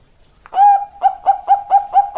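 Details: Zebra dove giving a long song: a brief opening note, then a run of six quick, even, mellow cooing pulses about a quarter second apart, each with a soft rolling quality, clean with no other sounds.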